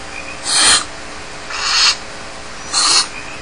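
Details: Barn owl chicks left alone in the nest at Starr Ranch give harsh, breathy hisses, each under half a second and repeated about once a second, over a faint background hum.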